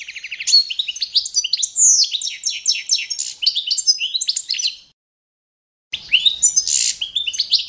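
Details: Balkan goldfinch singing a training song to the adopted competition standard: quick sequences of repeated chirps and short trills with clear whistled slurs, a pause of about a second, then renewed twittering.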